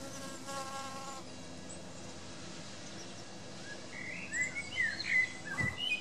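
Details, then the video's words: Common blackbird singing in woods, giving fluty, warbling whistled phrases in the last two seconds, after a brief droning insect buzz at the start over steady woodland hiss. "Blackbird singing in the woods"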